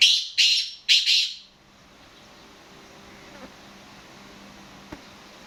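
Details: Black francolin call of three harsh, scratchy bursts packed into the first second and a half, then a long quiet stretch with faint clicks and a low steady hum.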